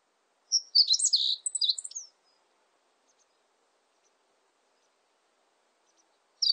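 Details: Meadow bunting song: one quick, jumbled phrase of high, sharp chips and short slurred notes lasting about one and a half seconds. Silence follows, and another phrase just begins at the end.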